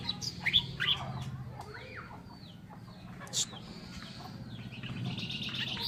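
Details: Oriental reed warbler song from a bird-training recording: a few harsh, bright chattering notes clustered in the first second, then softer scattered notes over a steady low hum.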